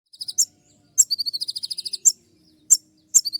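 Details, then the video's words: Van Hasselt's sunbird (kolibri ninja) in a tutor recording of its sharp 'tembakan' shooting song: piercing high twittering bursts of rapid beaded notes, alternating with single sharp ticks about every half second. "masteran kolibri ninja dengan full suara tembakan"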